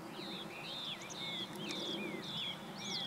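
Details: A Meadow Bunting (Emberiza cioides) sings on 20 March 2015 in Japan, a quick run of thin, high, sliding notes and short slurred whistles, about two per second, over a soft outdoor hiss.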